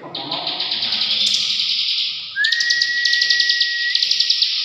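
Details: Ngebren-style song of a bar-winged prinia, a long unbroken buzzy rattle with fast clicking beats and one long pure whistled tone running beneath it; faint low murmuring at the start.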